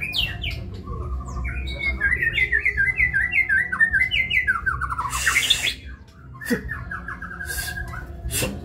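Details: White-rumped shama singing in the kebyok style: a fast run of bright whistled notes stepping down in pitch, with harsher rasping bursts and clicks near the middle and end.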